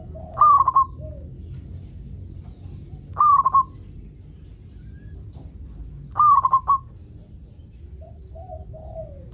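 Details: A local zebra dove sings repeatedly, used to lure other zebra doves into song. Three rolling cooing phrases with stuttering pulses come roughly three seconds apart. Softer, lower coos and a steady low hum sit beneath them.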